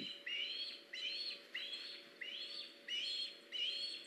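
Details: Osprey calling at a nest, 21 August 2019, when a fish is brought in: evenly spaced upslurred whistled cheeps, about six in four seconds, each rising sharply, over steady background hiss.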